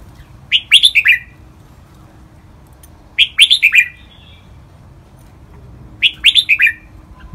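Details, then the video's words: Caged red-whiskered bulbul training song in the lively ลากหวาย (drawn-out) style: short bright phrases of four quick clear notes falling from about mid to lower pitch, repeated roughly every three seconds, quiet low hum beneath. "นกกรงหัวจุก | เสียงร้องเพลงลากหวาย คึกคัก คมชัดนกฟังร้องตามชัวร์ (เสียงฝึกร้อง)"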